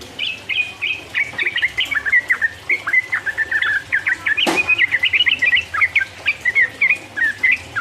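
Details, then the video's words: Sooty-headed bulbul in 'ropel uplik uplik' style, a lure to stir up rival birds. A continuous flow of quick warbled and whistled notes runs throughout, with a loud knock midway. "trucuk gacor ropel uplik uplik merangsang lawan"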